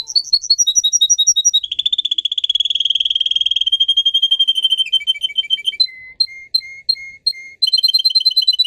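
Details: Canary singer song for training: fast high notes, then a long buzzy roll, a lower tour of spaced whistles repeated about twice a second, and a closing quick trill.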